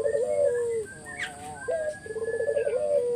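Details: Spotted dove cooing as a lure for other doves: a low warbling coo dropping in pitch, a pause with a faint whistle, then a fast pulsed roll rising to a steady held note.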